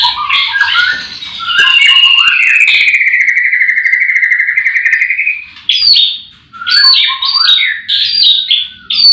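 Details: White-rumped shama singing in the morning among many caged birds at a breeding farm: varied opening notes, then a long sustained buzzy trill lasting about four seconds, followed by sharp whistled notes and quick chirped phrases.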